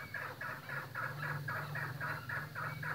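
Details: Farm-bred chukar partridge uttering a brisk run of about ten rough, clucking notes in three seconds, evenly spaced, with a steady low drone underneath.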